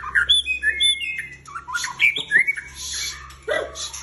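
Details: Caged White-rumped shama with a long tail, singing energetically: loud varied whistled phrases, rising and falling slurred notes and sharp chirps in quick succession, with a low steady hum underneath.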